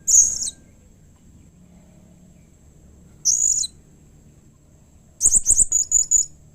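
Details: Blue-crowned hanging parrot calling to draw replies from other hanging parrots: two short shrill, very high squeals, then a rapid burst of about seven sharp chirps near the end, over a quiet low background hum.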